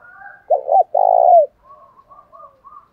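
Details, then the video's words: Spotted dove thổ đồng lure call from cock and hen, used to provoke fighting: one loud phrase of two clipped coos followed by a sustained rolling coo, framed by faint soft murmurs before and quiet high chirps after. "chim cu gáy mồi giọng thổ đồng thúc đấu rút bổi"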